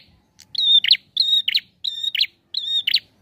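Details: Prinia song of four quick, evenly spaced phrases, each a steady high whistle ending in a burst of rapid buzzy notes, clear against a quiet background.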